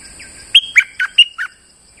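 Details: Bulbul used as a lure bird, singing a quick burst of five sharp chirpy notes with buzzy, slurred tone, some notes dropping in pitch, over a steady faint high hiss.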